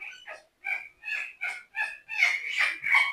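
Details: A 20-year-old African grey parrot whispers close to a listener's ear: about eight breathy, hissing syllables in quick succession, like soft mimicked speech, with brief pauses between phrases.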